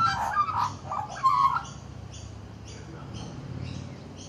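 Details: Male magpie perched on a back deck, quietly chatting to himself; a burst of mellow gargled and whistled notes over the first second and a half, then only faint background hum and light ticking.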